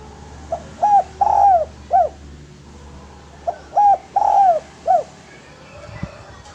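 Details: Spotted dove used as a lure and training model for other doves: two matching phrases of clipped rising coos, a long falling coo and an arched final note, with a pause between them.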